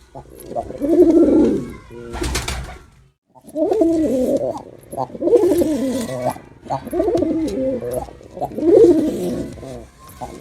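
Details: Deep throaty cooing from a performing male pigeon, a string of five rolling, wavering coos over ten seconds with a short pause and a brief clatter early on.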